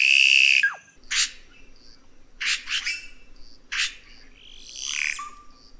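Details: Red-rumped cacique song opening with a drawn-out buzzy note that slurs downward, then scattered harsh clicks and rasps, ending in a wheezy falling sound over a low background hum.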